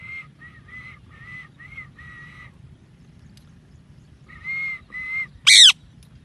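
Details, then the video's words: A pet parrot that loves to talk and play: a series of short, clear, level whistled notes repeated about every third of a second, a pause, two more whistles, then a loud harsh screech. "Real Parrot Voices – Whistles, Talking & Chirping Sounds"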